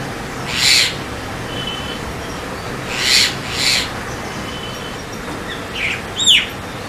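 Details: White-vented Myna (Javan myna) calling: three loud harsh, noisy bursts spaced about a second or more apart, followed by soft chirps and a sharp falling whistle, with constant low hiss behind.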